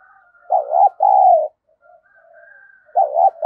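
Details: Spotted dove kept as a decoy, cooing to provoke rivals: one loud paired coo, short then long, followed by soft low notes, a thin whistle and the start of another phrase.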